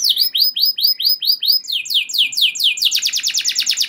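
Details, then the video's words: Canary singing to provoke others: a run of evenly spaced arched whistles about six per second, then quicker downward sweeps ending in a dense, buzzy rapid trill. "Kenari Gacor Ngeroll Joss! Bikin Emosi Kenari Lain Langsung Terpancing Ikut Gacor Nembak Panjang"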